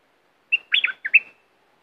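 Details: Bulbul song from southern Thailand, played to excite birds for trapping: a short, clear whistled phrase of about five liquid, slurred notes, rising and falling, delivered in under a second against silence.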